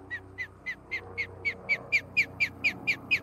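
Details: Osprey of a nesting pair in Charlo, Montana, gives a steady run of short, clear descending whistles about four per second, growing slightly louder, over a low background hum.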